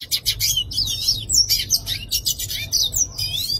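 A yellow-faced siskin sings a fast, high twittering song of buzzy trills and sweet slurred whistles, delivered without pause; a faint low hum sits underneath.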